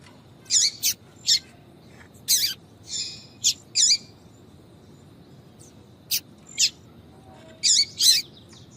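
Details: A female yellow-bellied seedeater calling 'tui tui' to heat up males: rapid groups of thin, high chirps, some slightly buzzy, broken by a two-second gap midway, with quiet hiss.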